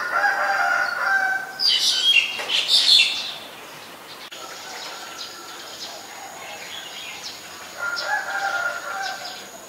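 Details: Black-collared starling recorded in Ubon Ratchathani, Thailand, on 25 December 2019: a burst of loud, harsh, broadband squawking notes over about two seconds, followed by quieter chattering and a steady high electronic-sounding tone.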